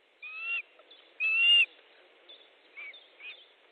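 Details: During a midday fish delivery at an Estonian nest on 14 July 2014, an osprey gives two shrill, slightly rising whistled calls, the second louder, then fainter softer notes trail off.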